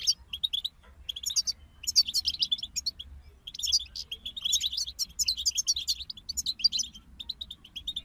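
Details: Group of European goldfinches singing: rapid tinkling twitters and buzzy trills in dense bursts, with brief pauses near one and three seconds, over a faint low hum.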